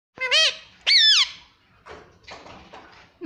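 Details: Pet Indian ringneck parrot talking indoors, imitating the word "mommy": two loud, sliding, nasal utterances in quick succession, followed by softer, rougher mumbled sounds.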